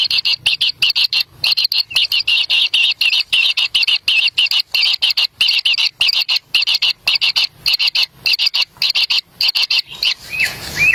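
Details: Wild kingfisher chicks clamouring at the nest while a parent offers a black lizard. They give a fast, relentless string of harsh, hissing high buzzes. Near the end, two brief rising chirps appear.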